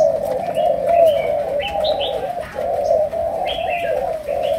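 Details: Spotted dove, Malaysian variety, chiêu gù and sấm đồng coo style: continuous low husky cooing with brief dips, while small birds add quick high chirps throughout.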